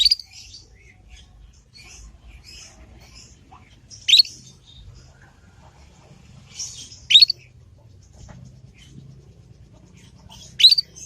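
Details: Young Yorkshire canary in its ngriwik learning song, meant as a lure to prompt other canaries to reply and learn. Sharp, high chirps repeat about every three seconds, with faint twittering notes between them.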